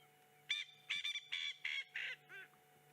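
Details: Coqui Francolin, one of several in the area with others calling back from afar: a run of five loud, harsh, nasal double notes about half a second apart, ending with a softer fading note.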